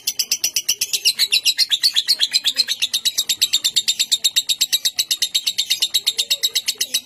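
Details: Lovebird kept for song contests in Bogor, Indonesia, delivering a long ngekek in the konslet style: rapid, shrill chattering pulses packed closely together, slightly rough and rasping, running without pause for seven seconds.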